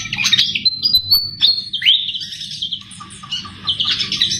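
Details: Flycatcher known as sikatan jawa, singing strongly for use as a trapping lure: a twittering burst, long thin high whistles including one upward sweep, then softer warbling chatter.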